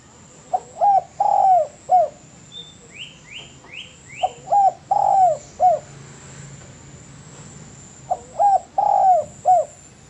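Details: Master recording of a spotted dove for tutoring cage birds, giving soft cooing phrases of a short note, a long drawn coo and a closing note, repeated about every four seconds; a quick series of rising whistles from another bird intervenes.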